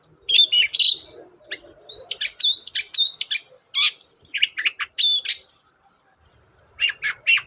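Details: Long-tailed shrike, lively song used as a lure to get shrikes singing: varied whistles, upslurred notes and sharp chips in quick series, a pause, then a few more clipped high notes.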